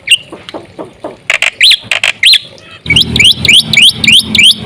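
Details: Black-winged myna song for luring other mynas: scattered sharp calls and rising slurred whistles, then a steady run of quick, upward-sweeping chirps over background noise.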